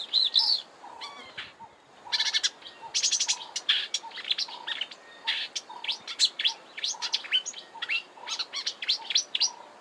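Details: A Marsh warbler sings at Kap River Nature Reserve, Eastern Cape, South Africa, in March 2020: a fast, rambling, varied song of sharp chirps, trills and high whistled phrases, with repetitive notes and mimicry and little pause throughout.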